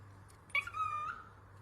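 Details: A cockatiel at peekaboo playtime indoors lets out a single sharp-onset whistle that holds steady then slides down, over a quiet low hum.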